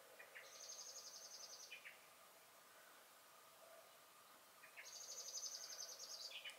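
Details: Turdus merula singing and giving alarm calls in a May garden, 2021; two separate high pulsed trills, each introduced by short lower notes and ending with a slurred drop, roughly four seconds apart, quiet overall.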